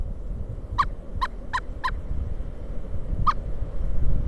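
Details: Pileated Woodpecker during a December 2022 snowstorm in Kalamazoo, Michigan, gives loud, clipped, nasal notes: four in quick succession, then one more after a pause, over a steady low rumble of wind.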